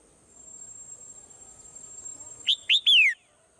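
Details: Swallow heard in the morning after a quiet stretch of low background rustle: two quick high chirps, then a drawn-out clear whistle gliding down in pitch, over a faint steady hiss.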